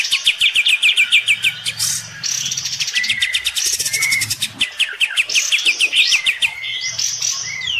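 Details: An olive-winged bulbul at its bath duels with a neighbour's bird, giving quick clipped notes about three per second, rattling bursts and sliding whistles over a soft low hum.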